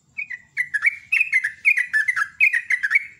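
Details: Morning song of a sooty-headed bulbul, loud and lively: a rapid chattering series of gurgling whistled notes in three tight bursts, rich and fluty, with faint low rumble beneath.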